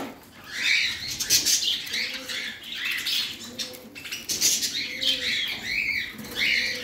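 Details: Pet parrot chattering in bright, rasping chirps and warbles, with short mid-pitched hums between bursts and some wing flutter.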